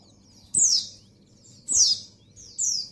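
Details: High, thin downward-sweeping chirps from a female white-eye in breeding condition summoning a male, three notes spaced about a second apart, low hum in the background.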